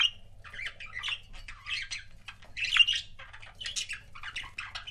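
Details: Continuous chatter from pet budgerigar couples: warbled, squeaky chirps and soft squawks running together without pause.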